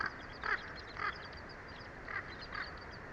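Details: Common ravens give four spaced harsh, hoarse croaks in the background over steady wind hiss. They are near a bald eagle nest where chicks are being fed, and ravens came by overnight trying to kill the chicks.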